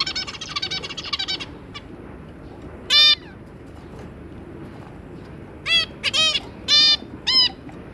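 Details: Zebra finch family group, two adults and three juveniles, 2 August 2022: a brief burst of buzzy song opens, followed by loud, separate nasal 'beep' calls, several in a quick cluster near the end.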